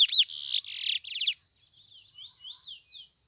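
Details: White mutation chestnut-bellied seed finch: loud harsh buzzy bursts for just over a second, ending in a quick descending rattle, then faint thin whistled slurs fading out.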